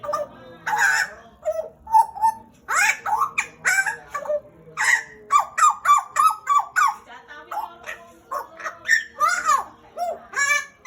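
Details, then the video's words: Long, energetic singing by a pet pied butcherbird from Papua, Indonesia, kept about two years: a steady stream of varied whistles, upslurs and harsh notes, with a run of evenly repeated short notes midway, roughly three per second. "JAGAL PAPUA GACOR"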